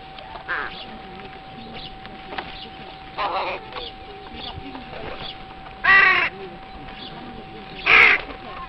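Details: Crows recorded early on Pentecost Sunday morning at a zoo, giving loud, coarse, hoarse caws around the third, sixth and eighth seconds, with softer calls before them. A steady electrical tone hums throughout.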